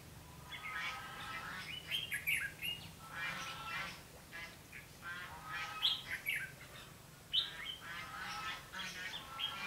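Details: Red-whiskered bulbul singing as a decoy while trapping, 21 November 2016: repeated bursts of jumbled, chattering whistles, each lasting about a second, with low hum and hiss behind.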